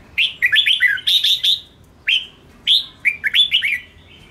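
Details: Red-whiskered bulbul delivering a provoking fighting song: lively phrases of bright, bubbling whistles with a harsher buzzy burst, repeated after brief pauses, loud and close.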